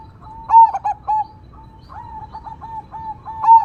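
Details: Loud-voiced crossing zebra dove singing 'engkel' style against a natural background: a bright stuttered coo phrase, then a string of soft evenly spaced cooing pulses leading into another sharp trilled coo.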